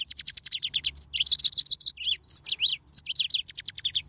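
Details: Yellow-fronted canary singing a fast, dense run of high chattering notes and buzzy trills, mixing rapid repeated elements with short rising and falling slurs, almost without pause.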